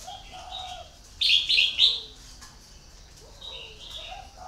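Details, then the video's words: Decoy red-whiskered bulbul used for luring other birds. It delivers a short burst of three loud, ringing, warbled notes in quick succession. Softer chirping and lower whistles from other birds fill the background before and after. "CHÀO Mào MỒI"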